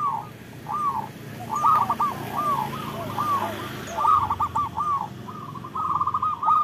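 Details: Local zebra doves singing, a recording meant to lure lazy doves into song: a series of short arched cooing notes around mid pitch, repeated in loose rolling runs, with quieter overlapping birds and a low background hum.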